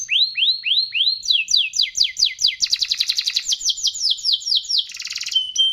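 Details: Canary in sustained song: a run of slurred rising-falling whistles about every quarter second, then quicker downward sweeps, a dense buzzy rattle, and a short churring burst before a thin high whistle.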